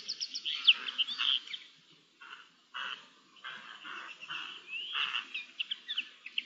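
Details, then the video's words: Several Eurasian jays talking among themselves on 10 May 2021, trading bursts of varied chirps, squeaks and rasping notes separated by short pauses, closing in quick high squeaky phrases. "Hablando se entiende la gente (Arrendajos)"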